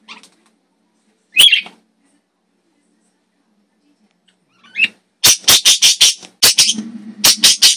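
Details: Caged pet parakeets indoors, recorded on a phone; one blue bird chirping and screaming. Two isolated harsh screeches, then a rapid burst of loud, raspy screams repeated about four times a second.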